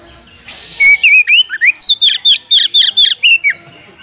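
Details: Rival-provoking call of an Oriental magpie-robin, used to make a bird more aggressive: a brief hiss opens, then a fast string of clear whistled notes sweeping up and down, roughly two per second.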